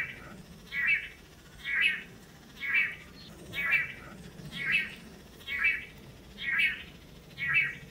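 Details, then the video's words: Courting long-tailed manakin males, several pairs on a Costa Rican lek, display in front of a female; eight evenly timed buzzy nasal notes, close to one per second, steady and rhythmic, with faint low rumble beneath. "The Amazing Long-tailed Manakin Courtship Display"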